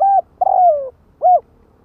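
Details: Spotted dove cooing to stir up rival doves: a clipped coo, a long slurred coo sliding downward, then a final short coo, close and loud with nothing else audible.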